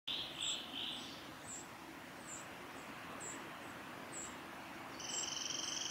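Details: A juvenile Eurasian wren, on the Mizusawa forest road in Tanzawa, Japan, on 22 May 2016, gives thin, high ticking chips about one per second over a steady rushing background; a shrill insect buzz joins at the end.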